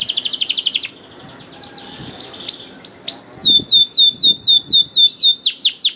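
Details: Canary song used to prompt other canaries: a rapid high trill, a brief pause with scattered soft chips, then rhythmic repeated downslurred whistles, about four each second.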